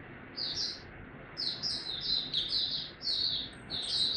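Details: Oriental white-eye ramping up form, singing buka tiong aw, dated 03-01-2022. After a lone high chirp, a lively chain of piercing twittered notes builds and continues, set against constant low hiss.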